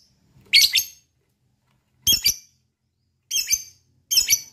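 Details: Lovebird giving four separate sharp, harsh high chirps spaced about a second apart, in a recording meant to provoke other lovebirds to sing.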